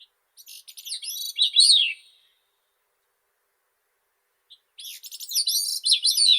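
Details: A Grey-cheeked thrush gives a high, wiry phrase of fast stuttering notes that climbs then falls, followed after a long pause by a second similar phrase, cut off at the end; no other sounds.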